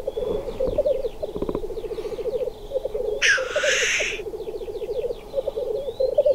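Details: Black grouse males at display, with the low burbling coo chorus broken by one loud hissing, sneezing rush lasting about a second, and with thin descending whistles and chirps higher up.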